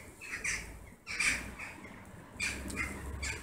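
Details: Evening gathering of western jackdaws at a favoured roost in August, birds circling and splitting into small groups; a few clear, harsh calls stand out over a softer, more distant chatter.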